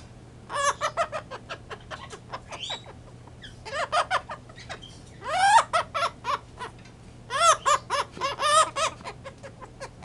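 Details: Pet blue-headed pionus parrot right after a bath, giving bursts of harsh, chuckling laugh-like notes in rapid series with short pauses between bouts, indoors with a steady low hum.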